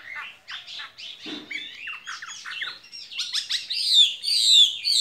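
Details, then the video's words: Caged skylark pours out a spring song of scratchy chattering notes that climb into sharper, higher whistled twitters toward the end. "Chim quý ở lồng son ca bản tình ca mùa xuân"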